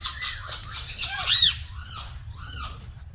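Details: Green talking parrots calling, a series of harmonic squawks with arched, rising-then-falling notes repeated about every half second, over a low steady hum.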